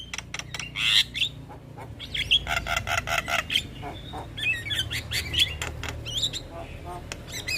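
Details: Morning song of a Javan myna, recorded as masteran and pancingan material. Rapid series of harsh rasping notes and clicks alternate with short high whistles, over a low steady background hum.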